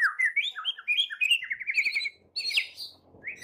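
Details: Morning song of a white-rumped shama meant to prompt shamas to sing: fluent, varied whistled phrases, some slurred up and down, with a short pause before higher, buzzy notes and a final rising whistle.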